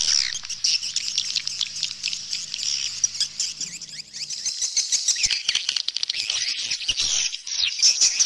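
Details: Swallows twittering in a dense, overlapping chorus of high chirps and squeaks, with a faint low electrical hum in the first half.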